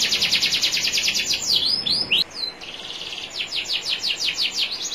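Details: Canary master training song for teaching canaries, of a national champion style: fast rolls of rising high notes, a short run of swooping whistles, then more rapid trills.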